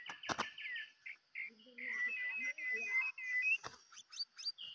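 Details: White-rumped shama used as a decoy bird for luring, delivering a loud, varied run of whistled and slurred notes with sharp clicks and a few quick upward chirps, mostly steady and clear.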